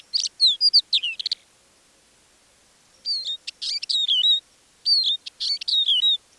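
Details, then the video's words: Quiet extended song of a Crested Lark at Manych in April, taken with a parabolic dish: three bursts of sharp chirps and wavering whistled slurs, each under two seconds, with a silent gap of about two seconds after the first. "Наконец, хохлатый жаворонок не выдержал и вполголоса выдал свой расширенный репертуар."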